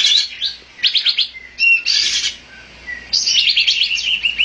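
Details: Olive-winged bulbul giving loud, chattering calls: clusters of harsh, bright chirps with short whistled notes between them, in bursts separated by brief pauses, then a longer rapid chatter to the end.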